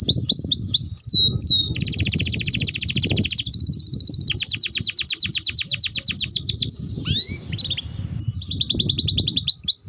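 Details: Canary tutor song for training canaries: clipped upslurred whistles, a sustained rolling trill, rapid repeated falling notes, a short gap, then the trill resumes.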